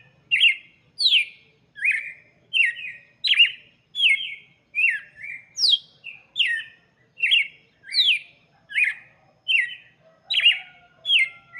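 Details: Red-cowled cardinal singing steadily for chicks: bright, short slurred notes falling in pitch, given singly about every 0.7 seconds in a brisk, even series, on a quiet background.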